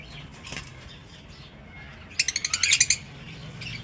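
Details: Lovebirds kept as pets in an aviary: after soft background chatter, one bird bursts into a quick run of about eight harsh, evenly spaced chirps lasting under a second.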